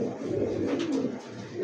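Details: Domestic and foreign pigeons kept at a farm in Ashulia, Savar, Dhaka, low soft cooing murmurs blended with room noise.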